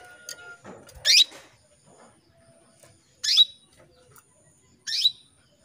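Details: Three short, loud, rising chirps from a female canary calling a male, spaced about two seconds apart, with a few faint clicks before the first.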